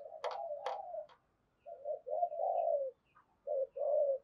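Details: Dove coos in the thúc gù style, used to get other doves calling, heard from farther off: a few sharp clicks or taps over a low coo, then several soft, rounded cooing notes with quiet gaps between.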